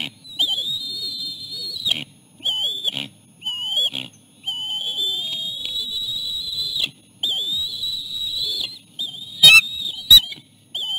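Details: Osprey family at the nest, adults feeding three chicks a small fish; a series of piercing, steady whistles, some drawn out for two seconds, separated by short pauses and a few sharp knocks.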